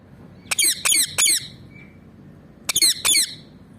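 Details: Ringneck parakeet, a pet parrot, giving five loud, harsh squawks in two bursts: three quick calls, a pause of over a second, then two more. Each squawk is raspy, slightly falling and strongly harmonic over a quiet room background.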